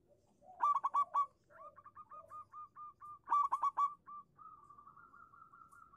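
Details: Zebra dove from local stock, its song used as a lure for silent doves: two loud stuttering bursts of quick coos, each followed by a long steady chain of softer repeated notes.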